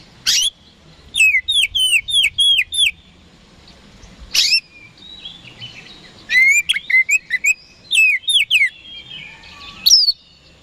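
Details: Kacer, the oriental magpie-robin, a contest songbird, singing to make opponents respond: repeated bursts of quick falling whistled notes, five or six per run, interspersed with sharp high calls and short pauses.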